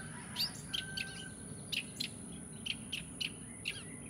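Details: Bird calling with about ten brief, bright, high chirps at uneven intervals over a soft, constant background noise.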